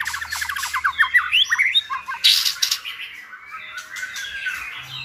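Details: Captive white-rumped shamas used as tutors to teach another shama a varied song; a rapid series of rising whistled notes gives way to loud harsh bursts, then softer warbling phrases.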